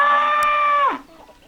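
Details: Chicken, a rooster: a steady, strained harmonic crow held for almost a second, then dropping sharply away at the end, followed by quiet.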